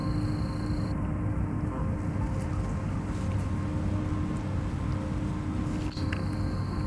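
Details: Loud low engine hum with steady tonal drones and a brief knock, no animal calls.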